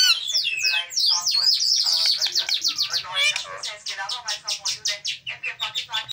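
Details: Tame green pet parrot chattering continuously, dense mimicked syllables and squeaky whistles giving way to a fast regular series of short repeated notes, several per second.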